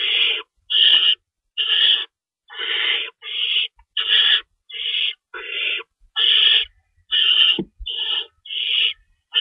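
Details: Owl at a nest during feeding time, 3:53 AM on March 25, 2012, with two rabbits stored as prey: harsh, hissing screeches in rapid bursts of about half a second, roughly one per second, with no other sounds.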